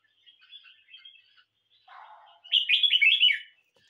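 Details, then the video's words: Red-whiskered bulbul kept at home in a song competition: gentle twittering, a short lower buzzy burst, then a loud rolling phrase of four quick slurred warbles. "Chào mào nhà ₫ấu"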